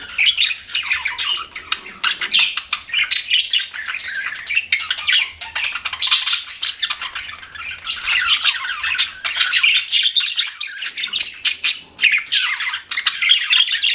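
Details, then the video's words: Long stretch of pet budgies chirping, an unbroken buzzy chatter of fast warbles and sharp squawks from several birds, swelling and dipping in loudness. "CUTE PET BUDGIES CHIRPING"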